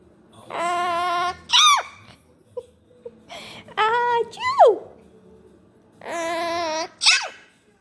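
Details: A female Hahn's macaw (Red-shouldered macaw) mimics her owner's mother sneezing three times, each a drawn-out nasal 'aah' then a sharp, falling 'choo', roughly every three seconds, in a quiet room.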